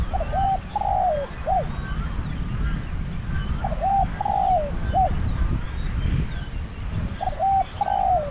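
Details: Spotted dove with a deep voice, serving as a decoy bird at a trap enclosure in Thailand. Three repeated hoarse cooing phrases come roughly every three seconds, each a short note, a long falling croo and a brief final coo, over constant low-frequency noise.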